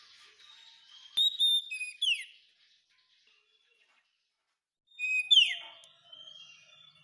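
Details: Oriental magpie-robin masteran for teaching caged birds to sing: two separate phrases, each a clear whistle followed by a downslurred, harsh-edged note, with near silence of over two seconds between them.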